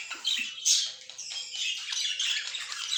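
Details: Several pet budgies chatter indoors, overlapping scratchy warbles and squawks with a brief louder shrill note near the start, the chorus running continuously.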